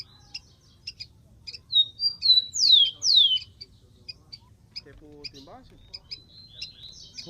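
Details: Rufous-collared sparrow in the wild: scattered high chips, then a rising whistle and two bright, loud, downslurred whistles, then more chips with a lower, harsher call in the background.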